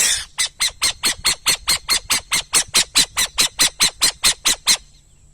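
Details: Burrowing owl giving a long series of harsh, raspy calls repeated steadily about every quarter second, about eighteen in a row before stopping.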